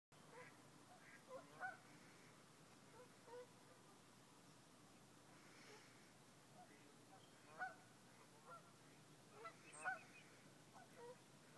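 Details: Geese on a wetland marsh at Crab Meadow at sunrise on a Sunday morning, 11-4-2011, with geese flying. Scattered nasal honks come from several birds, spaced irregularly, over a steady low background hiss.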